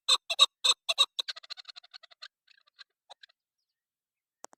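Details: Female chukar partridge calling: a burst of loud, harsh, ringing notes repeated rapidly, quickening and fading after two seconds into a trail of faint, scattered clucks.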